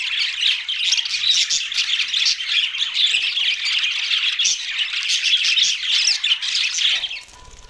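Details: Budgerigars, Australian parrots, giving dense overlapping chatter of high warbles, squeaks and chirps that runs almost without pause for about seven seconds, then fades suddenly.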